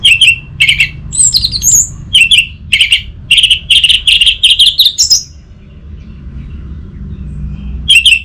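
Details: Orange-headed thrush in full song, played to lure silent thrushes into singing: loud high whistled phrases of clustered bright notes, a fast run of repeated notes rising at the end, then a pause and another phrase; faint low background rumble.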